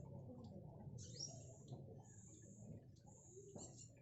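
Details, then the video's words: Captive black sunbird, tame and in speckled plumage, practising its song: long, very high, thin buzzy-whistled strands broken by short pauses, over a low background rumble. "Kolibri Black Sunbird Trotol Lulut Melatih Bunyi"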